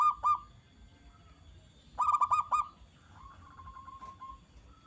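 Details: Zebra dove singing to provoke a response from other doves: two early cooing notes, then a tight cluster of about five rapid notes, ending with a softer, drawn-out hollow tone.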